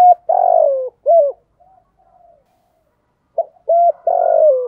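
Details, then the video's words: Spotted dove used as a decoy, cooing in the 'giọng thổ' style; two low, mellow phrases of clipped hooked notes ending in a drawn-out falling coo, with quiet murmurs in the pause between them. "Chim Cu Mồi Thúc Gù, cu gáy giọng thổ"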